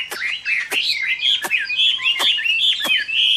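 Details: Chinese hwamei delivering a fighting song on a summer midday, a rich stream of looping whistled notes with sharp clicking snaps roughly every three quarters of a second.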